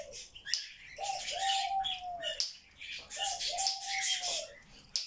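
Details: A grey parrot that talks nonstop all day chatters in speech-like phrases, each a hollow, level whistled tone under breathy hissing syllables, repeated about every two seconds.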